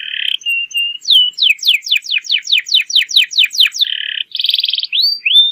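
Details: Canary song meant to coax young birds into singing: a short whistle, a run of about twelve steep downward sweeps, then a buzzy rattle and rising whistles.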